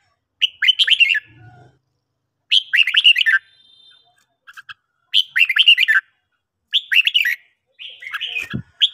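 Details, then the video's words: Red-whiskered bulbul singing in the morning, short, rich, bubbling phrases of whistled notes about a second long, repeated every couple of seconds, with a faint low thump between; used to train and prompt bulbuls to sing. "luyện chào mào hót buổi sáng"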